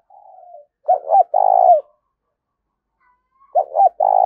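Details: Spotted dove cooing, a call used to stimulate and train decoy doves: a faint soft coo, then two phrases of two short hollow notes leading into a long, vibrating, slightly falling coo, with no other sounds.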